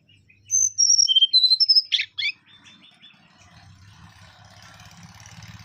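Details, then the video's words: Mangrove whistler: a few soft notes, then a quick descending series of clear whistles ending in two sharper, harsher notes. Faint rustling and a low droning hum follow. "Kancilan Bakau Gacor"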